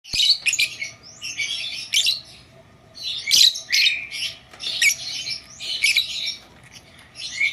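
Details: Blue Fischer's lovebird kept as a pet indoors, giving bursts of high, harsh chirps and twitters in irregular clusters with short pauses between them, plus a faint steady hum in the room.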